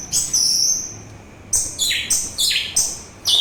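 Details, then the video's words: Orange-headed thrush song, offered as a calming therapy sound and as a lure for its own kind and other birds: high whistled phrases, some sliding downward, given in quick bursts with short pauses between. "Begitu Syahdu Suara Anis Merah"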